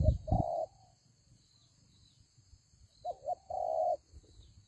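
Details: Decoy spotted dove at a ground trap giving two bursts of cooing separated by silence: a short coo and a long coo, then two quick coos and a long sustained one, with a knock at the start.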